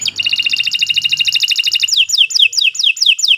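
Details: Kenari canary singing continuously as training material: a fast rolling trill of closely repeated notes, then slower downward-swooping whistled notes about five per second, with a soft low hum underneath.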